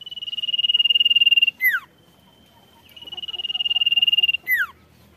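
Sirtu singing a high, rapid buzzy trill lasting over a second. Each trill ends in a quick downward-sweeping whistle, and the phrase repeats after a short pause.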